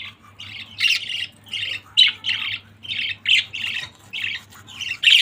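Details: Family of pet budgerigars chattering together indoors: short buzzy squawking chirps repeated in quick bursts about every half second, with a faint low hum beneath.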